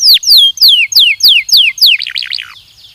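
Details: Singing Belgian canary from a training recording: seven loud downward-slurred whistles about every quarter second, followed by a softer wavering warble that fades out.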